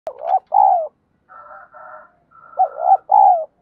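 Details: Spotted dove song used as a lure to provoke fighting, a deep 'giọng đồng' voice: mellow cooing phrases, a short two-part coo then a longer falling coo, repeated with softer trailing notes between.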